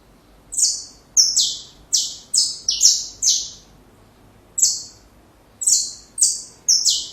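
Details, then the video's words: Saffron finch song used for training young birds: groups of raspy, high, descending notes in quick doublets, with a one-second gap before a final burst of four notes. "Canário da Terra Canto Perfeito Para filhotes"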